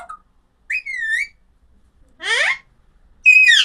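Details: Alexandrine parakeet calling: three separate harmonic squawks, a short flat-to-falling whistle, then a steeply rising harsh note, then a loud buzzy burst, with silent gaps between.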